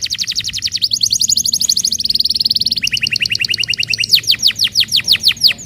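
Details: Canary song meant to coax quiet canaries into singing, made of dense rolling trills at several pitch levels, each held about a second, ending in slower loud falling whistled notes.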